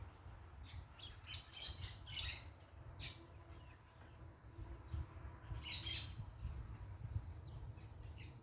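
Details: Parakeets calling noisily outdoors. Harsh squawks and scratchy chirps come in irregular bursts, with a loud cluster near the end and a thin descending whistle, above low ambient rumble.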